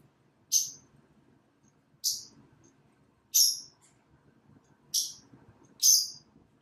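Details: Pet lovebirds, a Blackmask and a Violet Fischer's, during daily playtime out of the cage on a cat tree by a window indoors; sharp high chirps about every second and a half, five in all, with faint low room noise.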